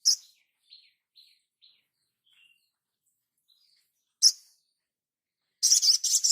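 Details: Crimson sunbird song used as a master recording for training caged birds: sharp, very high chirps and short thin notes, then a loud burst near the fourth second and a dense, rapid, buzzy twittering phrase at the end.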